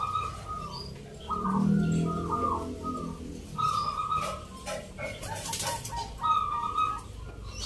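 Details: Contest zebra doves (perkutut) at a Yogyakarta rhythm-song competition, Indonesia, 19 November; intermittent cooing phrases among many birds, low voices and a brief loud rustle.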